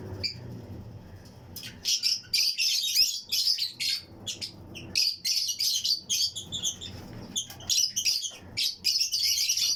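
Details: A colony of Fischer's and Lutino lovebird pairs in a flight cage aviary, with other birds around them. After a quiet start, a dense stream of sharp, high, squeaky chirps runs on almost without a break.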